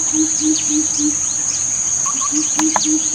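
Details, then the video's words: Greater coucal (Centropus sinensis) giving deep, hollow hoots in a quick run, about four a second, over a steady high insect whine and scattered chirps of other birds. "the sound of this bird adds to the silence"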